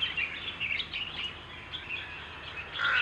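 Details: Himalayan (white-cheeked) bulbul drinking water in the Margalla Hills, Islamabad, Pakistan, giving quick chirping and warbled notes in a steady run, louder at the end, over a soft outdoor hiss.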